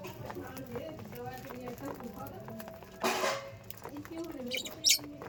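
Budgerigars chatter in a busy, warbling jumble, broken by a sharp high chirp near the end.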